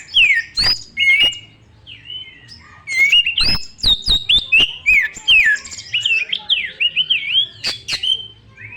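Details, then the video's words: White-rumped shama song as lure for young wild birds: bright whistled notes and slurs, a few clicks early, then a flowing run of rising and falling phrases. "PANCINGAN BURUNG KACER MERANGSANG MUDA HUTAN NGEPLONG NGOTOT MUNTAH ISIAN"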